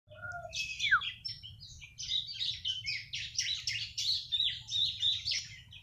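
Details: Young bar-winged prinia (ciblek), three months old, singing a scratchy, varied run of high chirps and buzzy notes after a couple of lower, clearer whistles, against a low steady hum.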